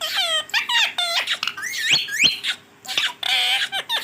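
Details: Pet green Rose-ringed parakeet chattering rapid speech-like syllables, with nasal harmonic tones and a couple of sharp rising squeaks midway.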